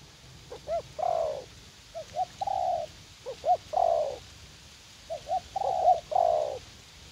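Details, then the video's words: Spotted dove used for decoy hunting in a garden at U Minh, Vietnam, luring a young wild bird eager to fight; three coo phrases, each with two short rising notes before a longer low hollow coo, with faint background hiss. "Gác Cu Gáy / Bổi Tơ Háo Đá"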